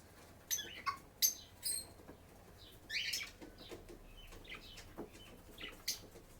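Lovebird chirping in quick, high, scratchy bursts, a dozen short squeaky notes over a few seconds, with a faint background hum.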